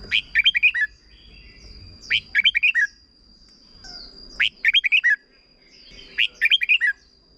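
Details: Red-whiskered bulbul song used to teach young birds: short bright whistled phrases of four to five fast notes, repeated about every two seconds, four phrases in all, over a faint constant high tone.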